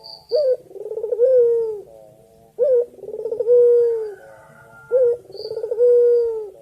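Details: Loud, clear cooing from a male puter putih calling its mate: three phrases, each a sharp low note, rapid rolling burr and lengthy downward coo, with a brief high whistle in the background.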